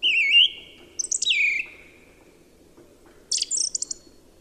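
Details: Song thrush singing varied phrases: a wavering whistled note, a high squeal dropping into a falling whistle, then after a pause a rapid high trill-like stutter.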